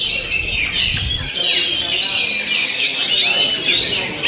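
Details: Oriental magpie-robin in full 'ngent'-style song, mixing clear upward-sweeping whistles with fast chattering notes, with a low thump near the start.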